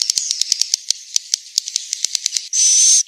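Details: Swiftlet recorded in Central Sulawesi, roosting sound: rapid uneven dry clicks crackle for over two seconds, then a short high buzzy burst with a thin whistled tone closes it.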